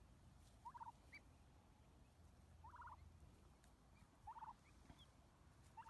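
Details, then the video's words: Helmeted guineafowl giving harsh, grating calls, each a quick rasping burst repeated about every two seconds, over a low steady background rumble. "What do Guineafowl Sound Like?"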